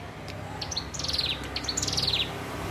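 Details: Hill prinia learning to sing: scattered thin high chirps, then two quick descending series of sharp metallic notes, against a low background hum.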